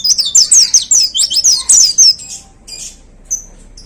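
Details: Hard-hitting 'tembakan' song of a caged white-eye: a dense two-second cascade of shrill, tumbling high whistles, followed by a few scattered thin chirps and quiet faint hum.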